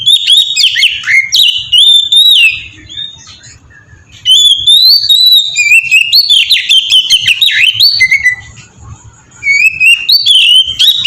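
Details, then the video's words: Oriental magpie-robin in melodious 'ngeplong' song, used as a lure to get other magpie-robins singing. Loud, rapid phrases of sliding whistles and chirps, broken by two quieter pauses, with a soft low hum underneath. "suara burung kacer ngeplong merdu sangat ampuh buat pancingan kacer bahan bikin cepat gacor"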